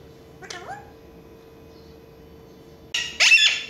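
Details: Alexandrine parakeet talking before a mirror: one short, soft warbled note, a pause of about two seconds, then a sudden loud, grating screech that ends the clip, with a low constant hum behind it.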